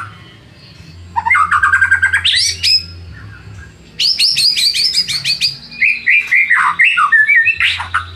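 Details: White-rumped shama singing as a lure to provoke rival birds: a rising whistled phrase, a pause, then a fast buzzy chatter series and descending slurred whistles, with a steady low hum underneath.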